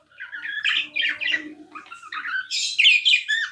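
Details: Tame pet budgerigar chirping nonstop indoors: a run of bright, harsh chirps and warbled notes, rising into a louder, higher burst of scratchy chatter toward the end, with a faint low murmur underneath.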